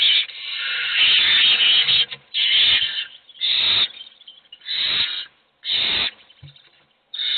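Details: Hungry owl nestlings in a nest box beg while only one is fed: long loud rasping screech at first, then separate hissing bursts roughly once a second, irregularly spaced.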